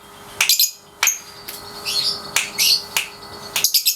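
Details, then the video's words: Pasjo lovebird, 3.5 months old, caged, in daily song training while being set up for the white-beak ngekek style; sharp high chirps and short rasping bursts come in scattered groups with brief pauses between them. "Love Bird Pasjo si Vicy Latian Ngekek Harian usia 3,5 bulan"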